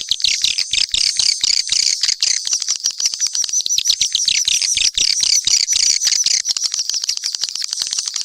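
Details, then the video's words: Mixed swiftlet calls: a dense, continuous stream of high, sharp twittering chirps, many overlapping clicks and trills, with no pauses and no other sounds. "Sp burung walet campuran"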